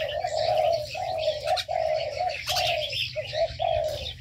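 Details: Caged birds in an aviary: steady low hollow cooing in drawn-out notes about every half second dominates, with busy high twittering and chirping from other birds behind and a low background hum.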